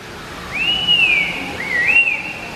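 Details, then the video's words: Red-winged laughingthrushes (Trochalopteron formosum) sing to one another: two clear, sweet whistles, a long note rising then levelling off, then a shorter dipping-and-rising phrase, over quiet background. "Red-Winged Laughing Thrush Singing"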